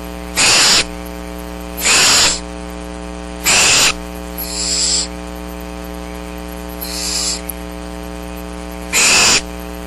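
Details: Seven young barn owls at Starr Ranch wait for food on a rainy March day, 2010; loud rasping hisses about every one and a half seconds, with softer ones between, over a constant low electrical hum.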